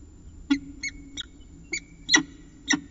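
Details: Early-morning peregrine falcon chat from Orange on 25 December 2019 at 5:29 am: six short hoarse nasal notes at uneven intervals, some with a slight downward slur, over faint steady hum.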